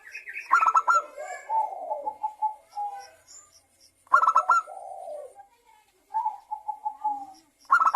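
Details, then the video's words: Zebra dove singing as a lure to prompt other zebra doves to sing. Two bursts of quick, clipped cooing notes each run into lower rolling coos, with a third burst starting at the end. "Pancingan perkutut lokal agar bunyi dalam 1 menit perkutut lokal dan Perkutut bangkok langsung GACOR"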